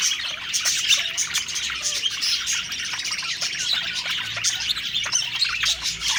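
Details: Happy budgerigars chattering as they eat: an unbroken stream of twittering, trilled notes and short whistles from several birds at once.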